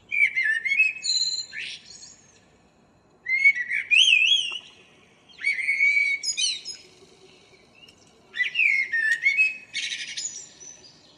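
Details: Four separate phrases of a local common blackbird's morning song, 2 April 2013, each a mellow fluted warble with swooping notes and a thin high twittering ending, pauses between.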